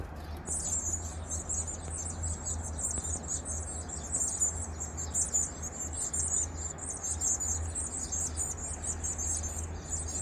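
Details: Varied tit at the nest while feeding young, 2 May 2023: an almost continuous high, thin chittering of rapid squeaky notes, with a constant low droning hum beneath.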